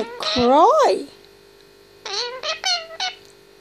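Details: Grey parrot, 18 months old, talking and whistling indoors: a rising, strongly harmonic whistled swoop, then a quick run of short speech-like whistled notes, with a steady electrical hum underneath.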